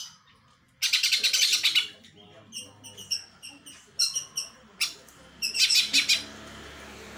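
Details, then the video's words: Greater green leafbird singing a phrase styled after the house sparrow ('burung gereja'): a dense, buzzy burst of high chirps, then a scatter of short, sharp separated chirps, ending in another rapid chattering burst. "cucak ijo rasa gereja"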